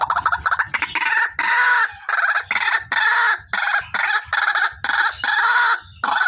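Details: Female white-breasted waterhen, recorded as a lure sound, repeating loud, nasal, harsh notes about once every half second, each a short buzzy burst separated by brief silent gaps, with a faint low knock between notes.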